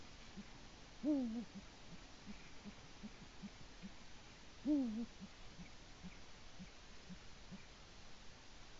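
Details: Male Eurasian eagle-owl at its nest in Latvia, filmed by a live nest camera at about 6:22 am on 5 March 2018, calling for its mate: two low, wavering hoots dipping in pitch, about three and a half seconds apart, over steady background hiss.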